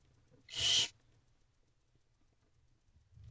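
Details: Barn owl female with owlets in nest box C, night of 17 April 2023 at 12:11 am, young eager for food; a single short, breathy screeching hiss near the start, then near quiet with faint rustles.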